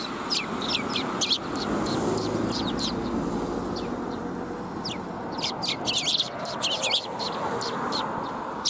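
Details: Several sparrows gathering to be fed along a Tenmangu shrine's front approach on 17 March 2021, giving rapid, overlapping high chirps throughout over a steady low rumble of ambient noise.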